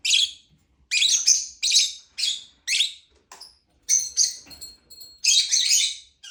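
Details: A lovebird chirps in sharp, rasping high notes, mostly separate calls roughly every half second, with a few thin whistled tones and a closing burst of chatter.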